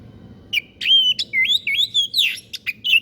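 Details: Strange song of a white-breasted bird, suited to tutoring cage birds: a varied string of looping whistled notes mixed with scratchy chips, delivered quickly without pause.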